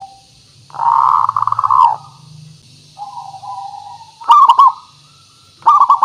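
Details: Local zebra dove singing, a recording used as a lure to prompt other zebra doves to reply: a soft trilled coo, then loud, rapidly pulsed coo phrases near the end, with a faint hiss in the background.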